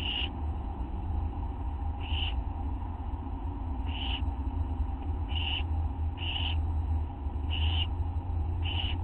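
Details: Owlet begging during a nighttime mouse delivery by a parent, August 9, 1:29 AM; scattered harsh hissing rasps, some in quick pairs, over steady low-frequency hum.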